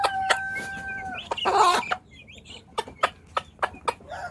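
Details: A hen summoning her young to food gives a steady, level tonal note, then a loud rasping squawk. Evenly spaced clucks follow, about four per second, with faint chick cheeps.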